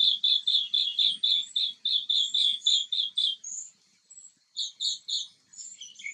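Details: Green bee-eater filmed in close-up while preening, calling a fast series of about a dozen rolling trilled chirps at roughly four per second, a brief pause, then a few more notes, with softer high twittering from other birds.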